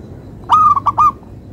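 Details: Zebra dove of a local variety delivers one short rhythmic song phrase, an opening drawn-out coo, then two brisk, bouncy notes at the same steady pitch, resonant and clear over faint low hum.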